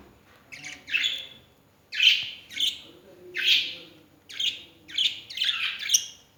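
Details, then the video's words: Pet birds kept at home calling early in the morning: a run of harsh, buzzy chirps, some in quick doubled bursts and others spaced about a second apart, in a quiet room. "my lovely birds making noise early in the morning!"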